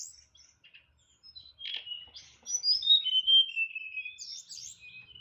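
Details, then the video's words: Caged hill blue flycatcher performing its nyeklek song full of fills. Quiet scattered ticks lead into clear, gliding whistles, with a falling sweep and high wavering notes near the end. "TLEDEKAN NYEKLEK BONGKAR ISIAN"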